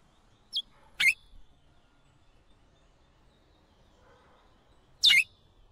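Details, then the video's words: Calls of a female chestnut-bellied seed finch (curió): a thin high note, then a loud sharp chirp a moment later, and after a four-second pause another strong, slightly buzzy chirp, with little else heard. "piado de curio femea"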